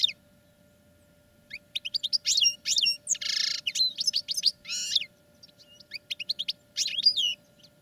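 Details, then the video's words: Caged European goldfinches singing during training: bright twittering song of rapid chirps, trills and downward-sweeping notes in bursts from about 1.5 seconds onward, with a buzzy harsh phrase near 3.5 seconds and a steady faint hum beneath. "Goldfinches Singing in CAGES for TRAINING"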